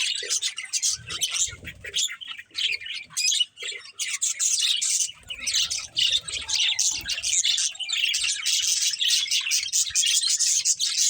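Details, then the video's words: Several pet budgerigars playing together, a dense, continuous chatter of buzzy, scratchy chirps and warbles packed high in pitch, with brief squawks and only short pauses. "Cute Budgies Chirping Sounds"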